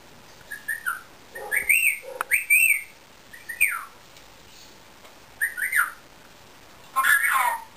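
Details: Short arched whistles from a pet Indian ringneck parakeet, given singly or in pairs with pauses between, ending in a harsh, noisy squawk.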